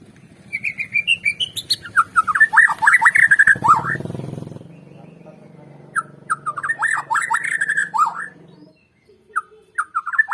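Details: White-rumped shama singing for a lure recording meant to set other shamas singing: rising whistled notes and swooping warbled phrases in bursts, with a low engine rumble beneath the middle section and a short pause.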